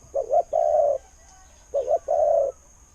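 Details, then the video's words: Spotted dove, a decoy bird whose good voice is in the khu-ang style and is said to draw wild doves in. Two low cooing phrases are heard, each a quick double note followed by a longer sustained coo, over faint background hiss. "เสียงนกเขาใหญ่ เจ้า 800 คูอ่าง เสียงดี ต่อเข้าหมาน"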